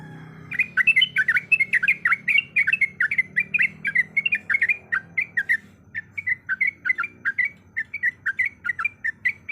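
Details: Long rapid song of a sooty-headed bulbul, in a recording said to include a female calling the male; dense, evenly paced bubbling notes for five seconds, then softer, steadier repeated chirps over faint background rumble.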